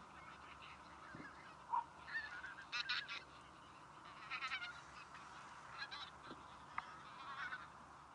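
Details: A flock of Tundra bean geese (Anser serrirostris) gives scattered nasal, honking calls in irregular bursts, some overlapping, over a steady background hiss.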